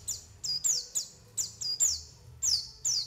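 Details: A white-eye calling as a trapping and singing lure, giving piercing, high downward-sliding chirps about every half second, each note bright and clean against a quiet low hum.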